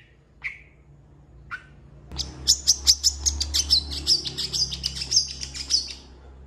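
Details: Tutor recording of an actively singing long-tailed shrike, said to imitate cats and chickens. Two isolated short notes open, then a rapid run of whistled, ringing high notes repeated about three times a second.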